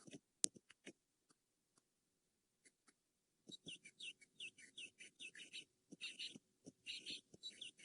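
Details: On a morning safari drive in February 2018, francolins give harsh, scratchy notes in a rapid run of short bursts after a few scattered clicks, while foam nest frogs and scrub robins sound faintly behind.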